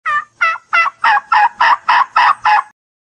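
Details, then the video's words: Turkey call: a quick series of nine hoarse, evenly spaced notes, about three per second, with nothing else in the background. "Turkey Call"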